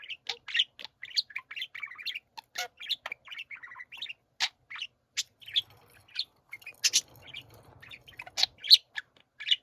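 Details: Several budgerigars warble as a group at home, mixing sharp staccato chirps with softer twittering and grating notes in a steady, chattering flow.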